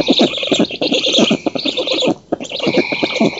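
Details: Black storks at a nest in an oak in Poland, 19 June 2017, filmed by a nest camera while the female feeds and an intruder is driven off: rapid raspy pulsed notes over a steady high hiss, with a short lull near the middle.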